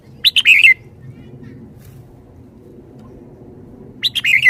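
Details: Red-whiskered bulbul, a Thai songbird, singing in a lively, spirited way with a bright 'rik-rik-rik' quality. Two short, jerky warbled phrases with sharp clicky notes come at the start and again about four seconds later. A soft low hum runs underneath.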